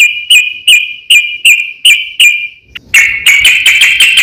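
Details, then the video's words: Sooty-headed bulbul in long-roll (ropel panjang) style, calling a rival to provoke other bulbuls: seven clipped whistled notes about every 0.4 seconds, a brief pause, then a fast, dense, bright chattering run of notes. "suara kicau trucukan ropel panjang memanggil lawan"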